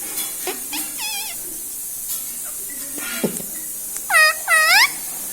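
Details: Pet parrot that mimics words such as mummy, mithu and radhe radhe; scattered soft squeaks, then two loud, bending, harmonic syllables near the end, with steady background hiss.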